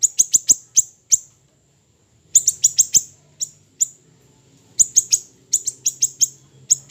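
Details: Small siri-siri bird, training recording: bursts of rapid, shrill, high chirps separated by a silent second-long pause, then further irregular runs over a low hum.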